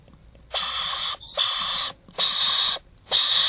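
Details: Yellow-backed chattering lories in a zoo nest box at Paignton Zoo, captive: four rasping, broadband screeches of about half a second each, spaced by short pauses, loud and grating, with only low hum between calls.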